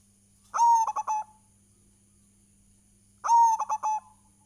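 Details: Local zebra dove in full song, used as a lure to set other doves singing: two identical mellow cooing phrases, each a drawn-out clear note followed by three quick short notes, about three seconds apart, over a faint steady hum.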